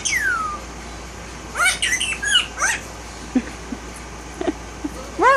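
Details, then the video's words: Pet male Indian ringneck parakeet, one year old, violet, tail-less and without its neck ring yet, talking indoors: a long falling whistle, then a quick run of chattering speech-like syllables and a few short clicks, ending in rising notes. "Best Talking Bird - Indian Ringneck"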